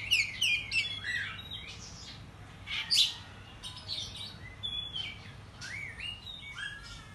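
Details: Oriental magpie-robin (kacer) morning lure song meant to excite and provoke. Busy mix of sharp chirps, harsh notes and rising whistles, fairly irregular, with a louder harsh note near the middle.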